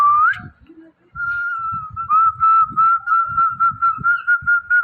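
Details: Indian ringneck parrot, known for mimicking words, holding a long, steady whistle broken into quick pulses after a short rising whistle, with low indoor rumble beneath.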